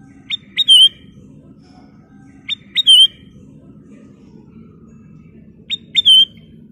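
Sooty-headed bulbul giving three short bright phrases, each two quick sharp notes then a clear warbled whistle, repeated about every three seconds over a low steady hum.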